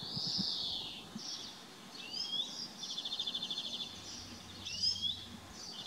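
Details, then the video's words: Italian sparrow calling: high chirps and a sweeping whistled note, then a rapid buzzy rattle of evenly spaced notes in the middle, followed by more scattered chirps over faint background noise. "Italian Sparrow, Passera d'Italia (Passer italiae)"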